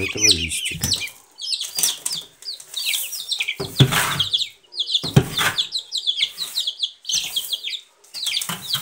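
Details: Several Silkie chicks give high, downslurred peeps in bursts separated by short gaps, with low handling noises and a brief voice-like murmur at the start.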